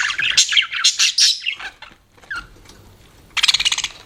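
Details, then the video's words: Pet budgerigars chirping: dense bursts of rapid, scratchy chattering notes spanning high pitches during the first second and a half, a short pause with a few soft notes, then a fast pulsed burst of chirps near the end. "BUDGIES CHIRPING SOUND"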